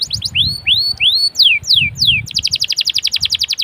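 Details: Canary singing as a prompt for other canaries: high short notes, slow arching and falling whistled slurs, then a rapid even trill of clipped notes, with faint low rumble beneath.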